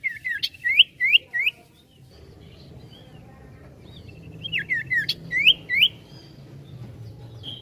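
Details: Ashy tailorbird, called sirtu, singing busily with trilled ngetril ngetrol phrases. It gives a run of four bright upslurred chirps, then quieter thin notes, and later a renewed burst of rapid hooked chirps against a soft background hum.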